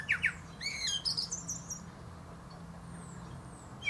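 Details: Common blackbird, male, singing on top of a plum tree: a quick string of thin, high squeaky twitter notes opens, then near quiet with a faint high whistle.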